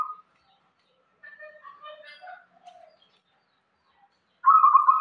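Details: Local zebra dove giving steady irama-style song: a brief trilled coo, then scattered softer coos and a few higher chirps, ending in a loud bubbling trilled phrase.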